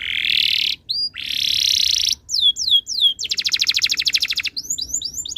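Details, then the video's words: Canary singing as a tutor recording to encourage other canaries: long rasping buzz rolls, a few falling whistles, then a fast pulsed trill and quick rising chirps. "MASTERAN BURUNG KENARI ABAD INI - BIKIN KENARI LAIN IKUT BUNYI"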